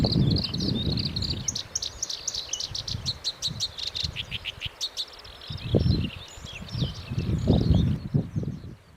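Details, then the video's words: Black-browed reed warbler song of fast, high chattering notes that build into a rapid, dry rattling series near the middle before fading, with heavy low wind rumble throughout. "コヨシキリの鳴き声（Black-browed reed-warbler singing）"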